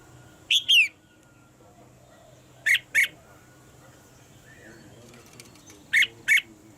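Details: Caged female red-whiskered bulbul calling so that the male sings harder; harsh, clipped double notes come in three spaced pairs against a low background hum.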